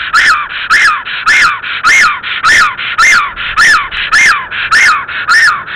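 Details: Black stork returning to its nest in Estonia on 17 April 2014 at 12:47, giving a loud, regular series of hoarse arched calls, roughly one every half second, nearly a dozen in a row.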